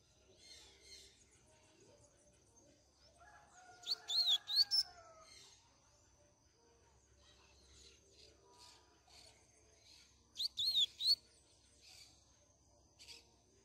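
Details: Double-collared seedeater singing the Canto Grego song style, used to teach young birds: two short bursts of fast, warbled, rising-and-falling notes several seconds apart, with fainter chirps between, a lower gliding sound and a steady high whine throughout.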